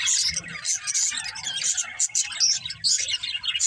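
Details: Several pet budgerigars chirping together, a dense, continuous chatter of high twittering notes and short squeaks that barely pauses across the whole stretch.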